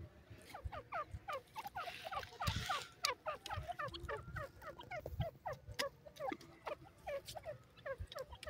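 A silver francolin gives a fast, chattering run of short, down-slurred notes, several per second, repeated and overlapping throughout, over a low rumbling background.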